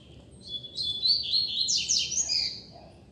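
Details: Double-collared seedeater, a free-flying bird singing in the street: a rapid run of high, tangled chirps and warbled notes lasting about two seconds, with soft low background noise.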